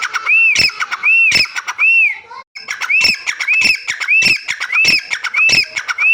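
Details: Teetar (partridge) call series: arched whistled notes repeated roughly every half second, each joined to a harsh crackling burst. There is one brief pause midway, then the run continues evenly.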